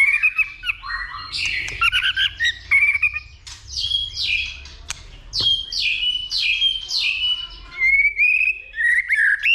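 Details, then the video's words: A white-rumped shama sings its fighting song, with continuous clicks: varied bright whistled phrases, quick descending note series, and longer level whistles near the end. "Chòe lửa kích lửa DÌU BỔI,tạch liên tục đập đuôi kích chòe lửa lên lửa hót đấu"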